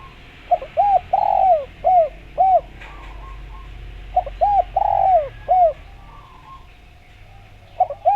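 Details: Spotted dove phrase used to coax other doves into calling: soft arched coos, a long drooping coo and further coos, repeated twice with a gap of about two seconds, then a third start.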